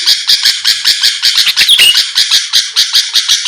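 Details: Lure song of a Sooty-headed bulbul, meant to make rival birds answer fast: steady, rapid, harsh chirping notes at about three per second, with one clear whistled slur near the middle.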